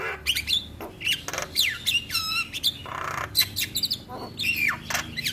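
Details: Starling song at morning, meant for training birds to sing: varied sequence of rising and falling whistles, grating squawks and rapid buzzy trills.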